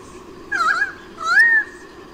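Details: White-bellied sea eagle at its Sydney, Australia, nest on 16/10/2018, parents seeing off intruders; two drawn-out, wavering whistled yelps, the second rising and longer, over faint background hum.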